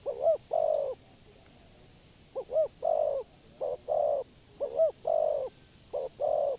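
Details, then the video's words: Lure-bird spotted dove for trapping, calling a rhythmic coo: a clipped double note followed by a fuller, longer hollow coo, phrases spaced about a second apart, with steady background hiss. "Suara Terkukur Pikat Tua"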